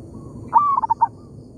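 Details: A single phrase from a wild local zebra dove in an oil palm plantation, answering a decoy: a sharp whistled note held briefly, then three fast, separate pulsing beats.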